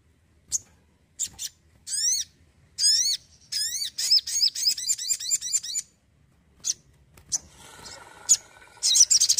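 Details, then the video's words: Varied Crimson sunbird song: scattered thin high notes, then buzzy harmonic falling notes, then a fast rattle of sharp chirps, ending in scattered chips over a noisier, fluttering background. "SOGON ISTIMEWA YANG ENERGIK"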